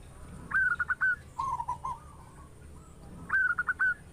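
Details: A local zebra dove with a big voice coos to prompt other doves to sing. A quick run of four or five higher coos is followed by a softer lower rolling phrase, then the higher run returns.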